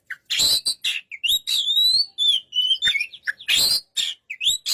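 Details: White-rumped shama singing loud, varied whistled phrases, high and clear, some rising and falling in smooth slurs, broken by short harsh rasping bursts between the whistles.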